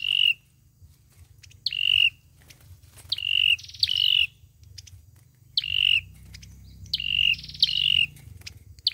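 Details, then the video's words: Olive-backed sunbird fighting song used as a lure to trap birds: sharp flicked whistles settling into a steady high tone, some doubled and buzzy, repeated irregularly over a low rumbling background. "sâu dừa hót đấu"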